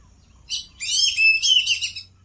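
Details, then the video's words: Wild duck: one brief high note, then a drawn-out sequence of bright, wavering squeals lasting over a second, with a quiet low hum underneath. "wild duck ph.call"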